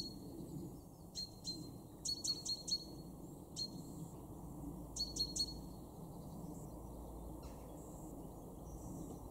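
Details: Great tit in a Weener garden, East Frisia, north-west Germany, February 2023, giving a few bursts of sharp, high repeated notes early on, then only faint distant chirps over steady low noise.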